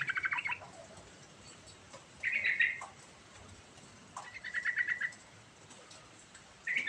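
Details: Yellow-vented bulbul singing a rolling ngerol song: short bubbly phrases of rapid pulses, given roughly every two seconds and separated by quiet gaps, over a faint background hiss.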